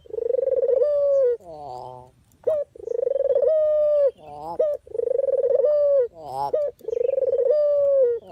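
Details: Barbary dove, an authentic call used as bait for catching birds: four drawn-out, quavering low coos, each slightly rising then dropping, broken by short harsh stacked notes between them.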